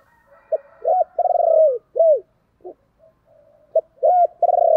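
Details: Decoy spotted dove giving urging and calling coos: a short note, then a long purring, vibrating coo and arched downslurred coos, the low mellow phrase repeated twice against a quiet background.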